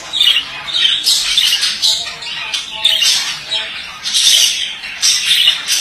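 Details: A male budgerigar sings a scratchy warble of rapid squeaks and clicks with bright high chirps; softer low-pitched voice-like sounds are mixed in.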